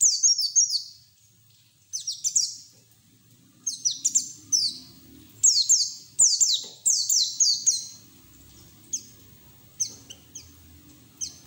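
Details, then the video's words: White-eye giving fast 'ngeriwik' wild-style song, a lure to get raw white-eyes singing; repeated clusters of high, steeply descending chips, several groups separated by short silences, fading into sparse notes toward the end. "PLECI NGERIWIK TELER BUKA PARUH NGALAS UNTUK TERAPI PLECI BAHAN"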